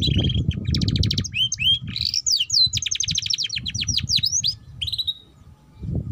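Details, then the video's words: Young canary performing ngeriwik chatter as lure song for juveniles learning to sing: quick rolled trills, then a long run of rising and falling whistled notes, with low background rumble early and late. "Pancingan Kenari Paud Cepat Bunyi || Cocok Untuk Kenari Paud Belajar Bunyi Ngeriwik"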